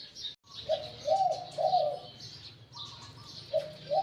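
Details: Decoy spotted dove, caught wild, with a medium-to-deep voice of the Liu Tan type. It gives a low coo, then two longer burry coos, and starts a fresh phrase near the end. Faint chirps from other birds continue throughout.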